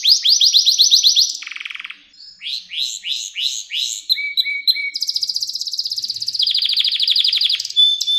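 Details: Home canary singing, intended as lesson song for young canaries: fast rising trill, a buzzy low rattle, spaced swept notes, short flat whistles, then a long rapid trill ending in a pure tone.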